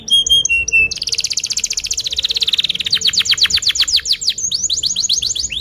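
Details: Canary singing a long lure song for young canaries learning to sing: clipped paired whistles, then an extended rolling buzzy trill shifting into fast sweeping chirps and rising whistled notes.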